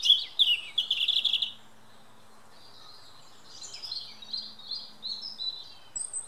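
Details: Song of a robin redbreast in woodland: an opening jangle of bright, rapid trilled notes, a short silence, then a softer string of high warbles and twitters closing with a thin whistle.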